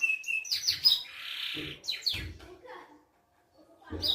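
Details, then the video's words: Belgian canary singing its distinctive song: bright high twittering notes and quick trills, a sustained buzzy passage, then more sharp chirps after a brief pause, with faint low background sounds. "canto diferenciado desse canário belga"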